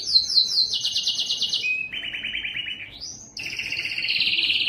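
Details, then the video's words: Belgian canary singing its loudest song to attract females for breeding: high, fast buzzy trills, then a lower rolling trill, a rising whistled sweep and a final rapid two-pitched trill, with no other sounds. "O canto mais forte do canário belga que atrai as fêmeas para a reprodução"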